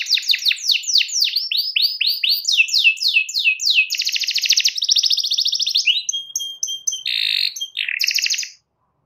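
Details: Canary in full song calling a rival: a varied, high-pitched sequence of sweeping downslurred chirps, then a dense buzzy rattle, a thin steady whistle and short trilled bursts, ending abruptly in silence.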